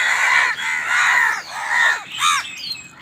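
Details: Crows fighting for food: a continuous tangle of overlapping harsh, grating calls, then one clear, sharp caw near the end.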